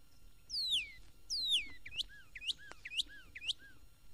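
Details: Northern Cardinal singing in Florida garden and glade, recorded for a 1969 record: two long descending whistles, then a rhythmic run of two-part phrases, a bright rising note followed by a low soft downslur, about twice a second.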